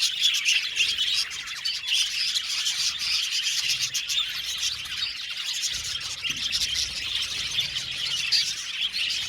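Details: Many budgerigars in an aviary chatter and chirp nonstop, producing a thick, shimmering mass of quick high notes and buzzy warbles.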